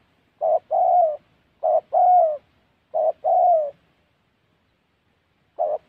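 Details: Spotted dove in trapping, Gia Lai, Vietnam's Central Highlands forest: three paired phrases, each a brief low coo then a longer smooth descending coo, spaced about a second apart, then a pause and one more short coo; no other sounds.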